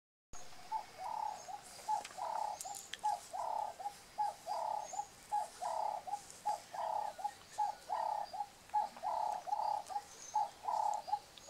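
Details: Red-billed hornbill at its nest, the male feeding the female he has sealed into a tree hole through a slit, recorded on VHS: a steady run of hollow clucking notes, roughly one per second, over hiss and faint higher chirps.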